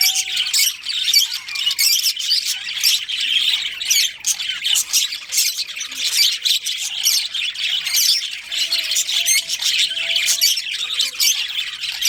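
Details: Budgerigar colony with a breeding pair, chattering for the whole stretch; overlapping high chirps, warbles and raspy squawks form a steady, lively din.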